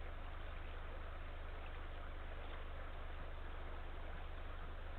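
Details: Steady low hum with broad rushing noise throughout, like distant traffic or flowing water, with no animal calls.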